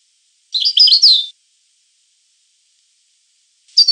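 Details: European goldfinch song: a short burst of liquid, twittering notes lasting under a second, then silence, with a new phrase starting at the end.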